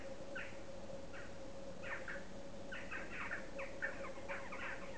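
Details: Western jackdaw, Corvus monedula: a flurry of short, harsh calls from several birds, overlapping and irregular, over a steady low hum.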